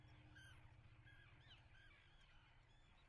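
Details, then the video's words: Common terns at their nesting site at Atlit on 10 June 2010: several short, harsh, arched calls overlap and repeat rapidly from more than one bird, over a steady low rumble. "Common Terns nesting / שחפית ים"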